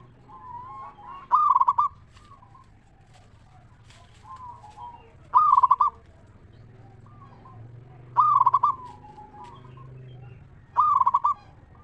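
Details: Local zebra dove song to lure other zebra doves: four bright pulsed cooing phrases spaced about three seconds apart, each trailing into softer coos, with quieter doves calling between.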